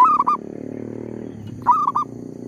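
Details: Zebra dove lure bird during trapping, undisturbed by a nearby tree squirrel, gives two brief phrases of soft, clipped coos about one and a half seconds apart against a low, steady murmur.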